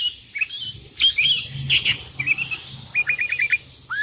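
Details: Vocal sooty-headed bulbul calling rivals as wild ones answer: scattered sharp chirps and short whistles, then a fast even series of five or six clipped notes and a final rising note.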